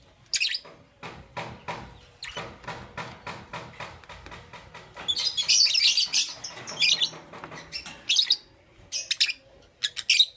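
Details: Lovebirds, Parblue Euwing Green Opaline and Green Opaline, in the morning: steady dry clicking throughout, with loud shrill chirp bursts crowding the middle and end.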